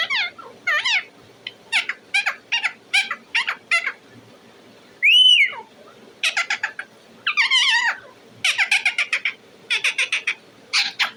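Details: Talking parrot at home chattering in clipped, rapid bursts of harsh notes, broken by one clear rising-and-falling whistle, then more quick squawky runs.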